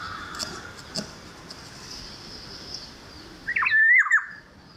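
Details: Black-naped oriole, wild sound recorded during light drizzle: after several seconds of soft rain hiss and faint distant notes comes one short, loud, fluty whistled phrase that warbles up and down near the end.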